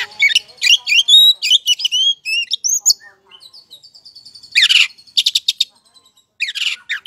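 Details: Oriental magpie-robin song played as a lure to provoke other magpie-robins into answering: loud whistled phrases with rising and falling notes at the start, then thin high tones, followed by bursts of harsh, buzzy chattering notes.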